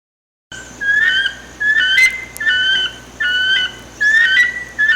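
Uniform Crake: clear, pure whistled notes, each slightly rising then level, in a steady series of about one and a quarter per second, with no other sounds.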